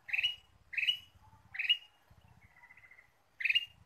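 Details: Lure recording of a ruby-throated bulbul for drawing in birds: harsh, buzzy chirps repeated in quick succession, a gap filled by a thin level whistle, then one more loud chirp; soft low rumble in the background.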